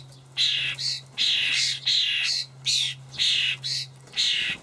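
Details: Fledgling common starlings calling while parents feed them buffalo worms in a Hamburg garden plot, late May 2012: loud grating, hissy screeches in regular pairs, roughly two per second, with short pauses between.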